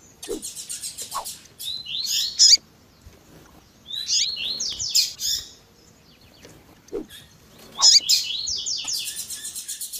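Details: Double-collared seedeater (coleiro tui tui) song with female calling chirps, edited to excite captive males: three bursts of fast, high buzzy and twittering notes, each about a second long, with short thin chirps between.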